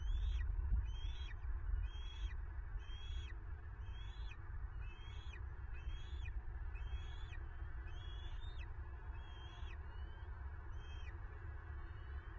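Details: Nest-camera recording of a bald eagle in Southwest Florida, 9 March 2023, during a prey grab by a female from the male M15. A rapid, evenly spaced run of about a dozen high, squeaky chittering notes over constant low wind noise.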